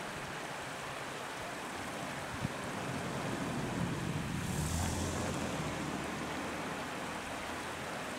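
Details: Wind buffeting the microphone over a steady rushing background, with a single knock and no birdsong.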